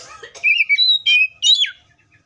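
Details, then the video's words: Wild Oriental magpie-robin giving a short run of whistled and slurred notes, ending in a falling note, after some soft low sounds. "THIS COPSYCHUS SAUCARIS BIRD MOST LUXURIOUS SOUNDS LIKE IN THE WILD!"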